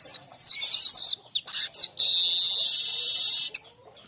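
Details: Young baya weaver singing a lively training song: a burst of high chattering chirps, then a long, steady, hissing buzz at high pitch that ends with a few short clicks.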